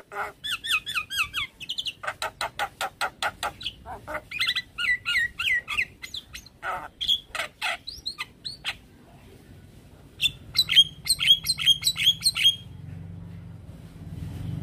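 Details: A Javan myna, described as stressed and responding on hearing Javan myna calls, gives a rapid run of harsh squawks and buzzy notes, then sharp, high whistles near the end, with a low hum behind.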